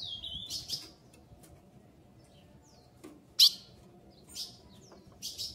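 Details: Female ultramarine grosbeak begging to mate: a thin slurred whistle, then bright clipped chips at irregular intervals, one notably loud, in a quiet setting.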